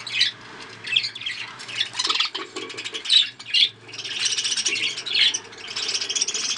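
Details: Captive breeding budgies chattering in loud bursts of squawky, warbling high notes broken by brief pauses, over a faint low hum.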